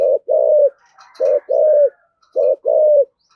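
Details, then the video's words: Spotted dove singing in the voice style called thổ sấm, deep steady coos in pairs, a brief note then a longer one that dips at its end, three pairs in a row with a soft rustling between. "cu gáy giọng thổ sấm thúc gù rất cực đỉnh"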